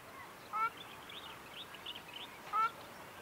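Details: Two clear nasal honks, about two seconds apart, from a wild ruddy shelduck at a river marsh in Aoulouz Gorge, Morocco; soft and rolling in tone, with faint chatter of small birds between them.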